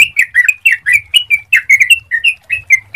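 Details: Sooty-headed bulbul song played as a lure to get other bulbuls singing: a continuous run of clear, bubbly whistled notes, each dipping and rising, about four per second, with a faint low rumble beneath.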